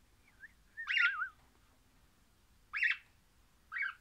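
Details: Happy singing from an orange crimson rosella: a soft short whistle, then a wavering, warbled whistle, followed by two shorter bright chirped notes spaced about a second apart, otherwise quiet.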